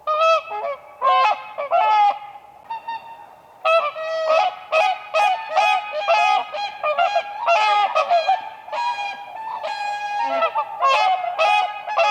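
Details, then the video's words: Whooper swans dancing on spring lake ice, a flock giving repeated trumpeting honks, bursts of overlapping calls with short gaps. "WHOOPER SWAN birds dancing on ice"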